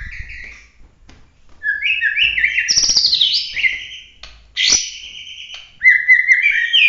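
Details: White-rumped shama of pure Bahorok stock giving an emotional competition song in the 'tembakan' (shooting) style: clear whistled phrases jumping between high and mid pitches, with sharp bursts and quick slurred notes separated by brief pauses.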